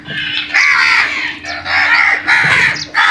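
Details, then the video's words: Crows mobbing food give long, rasping, overlapping caws that run almost continuously, with short breaks between the harsh bursts. "Crows vocal and brutal attack on food"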